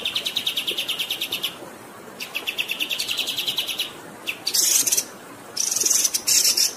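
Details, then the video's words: Pied triller in a long rolling song meant for training songbirds: rapid chirped trills broken by pauses, then loud harsh rasping bursts, with soft hiss behind. "MASTERAN KAPAS TEMBAK GACOR Ngerol Durasi Panjang"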